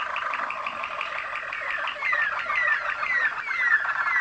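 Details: Waterslager (Malinois) canary bred in Kumanovo, Macedonia, from champion contest lines, singing indoors: a run of rapid bubbling trills, then clear descending whistled slurs repeated about twice a second, with a steady background hum.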